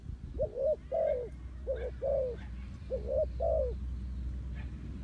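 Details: Spotted dove cooing, played to attract wild doves into traps; soft hollow coos in twos, a short note then a longer drawn-out one, three pairs in quick succession before quiet, with low background hum.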